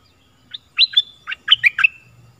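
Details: Stripe-throated bulbul singing a lure song used to teach young birds and draw in wild ones: one short phrase of about six bright, liquid, bubbling notes, rising and falling, over a faint low hum.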